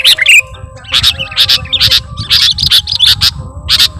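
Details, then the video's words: Sooty-headed bulbul calls used as a lure: a steady stream of loud, bright chirps repeated several times a second, with some slurred twittering, over a low rumbling background. "Mp3 Suara Pikat Burung Kutilang Gacorr"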